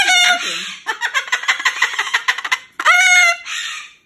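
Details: Moluccan cockatoo kept as a pet, refusing to go to bed in its cage; a harsh call opens, followed by fast stuttering giggle-like chatter for two seconds, then two loud drawn-out raspy squawks.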